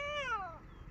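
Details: Talking pet Alexandrine parakeet gives a single nasal, drawn-out syllable that slides downward, between the words hello and I love you, in a quiet room.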